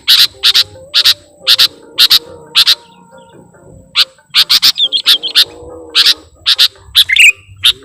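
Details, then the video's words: Sooty-headed bulbul call used as a lure for trapping birds: sharp, bright chirps in quick pairs and clusters, with short gaps between groups, plus a faint low hum underneath. "Suara Pikat Burung Kutilang Gacorr"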